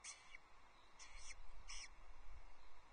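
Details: Osprey at a Loch Arkaig nest, 23 May 2024, from a livestream camera as the mother draws a wandering chick back. Three separate high, slightly falling whistled calls are spaced about a second apart over strong low rumbling noise.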